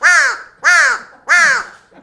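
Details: A captive, human-imprinted American crow kept as an education bird at a Connecticut rehabilitation centre after a hawk attack as a nestling, giving three harsh, nasal caws, about 0.6 seconds apart, each slightly falling at the end.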